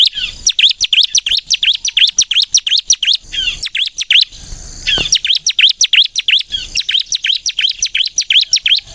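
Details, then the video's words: Ciblek kristal, the bar-winged prinia, in energetic gacor nembak song used for luring other birds into song: repeated bursts of fast, high, sharply falling chips separated by short pauses. "suara burung ciblek kristal gacor nembak untuk pikat pancingan ciblek bahan agar bunyi"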